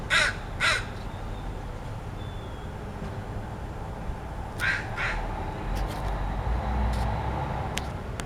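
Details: A crow making strange sounds: two loud, raspy caws close together at the start, then two softer, more distant-sounding caws a few seconds later, with scattered faint clicks and a low rumbling background.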